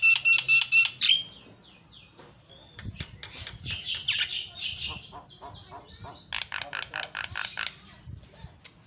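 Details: Black-winged starling, a lively singer, mixing clear repeated whistles, sweeping slurred notes and harsh chattering bursts, then a loud rhythmic sequence of ringing notes near the end.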